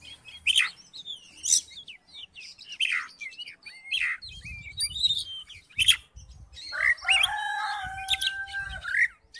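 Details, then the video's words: Oriental magpie-robin song played to get a quiet magpie-robin singing, with scattered whistled slurs and harsh buzzy bursts about every second, then a steady layered tone near the end over soft low thumps. "COBA DIPANCING DENGAN KICAUAN KACER INI"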